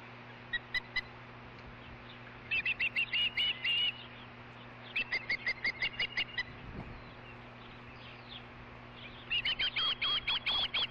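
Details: Osprey at a ranch nest, evening of 22 August 2013, during a fish delivery; fainter bursts of rapid high chirps in three or four short bouts separated by quiet stretches, over constant low electrical hum.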